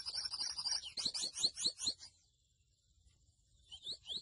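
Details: Grey seedeater, locally called mochuelo, singing: a burst of rapid high twittering and sweet whistled notes, a quick run of repeated descending chips, a short pause, then more high rising notes.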